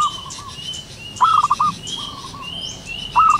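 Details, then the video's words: A wild zebra dove in the morning gives short bursts of soft, rapid staccato coo notes twice, a couple of seconds apart, with thin higher whistles from other birds behind. "burung perkutut lokal alam gacor penuh gairah"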